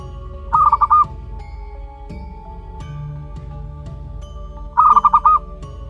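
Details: Zebra dove chick, one month old, local wild stock: two bursts of five quick, stuttering, mid-pitched notes several seconds apart, over steady droning music.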